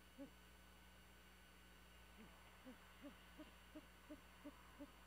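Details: At night on Skidaway Island, Georgia, Great horned owls murmur in an old bald eagle nest high in a dying pine, watched by a nest camera. Gentle low muffled notes repeat about every third of a second, steady hum behind.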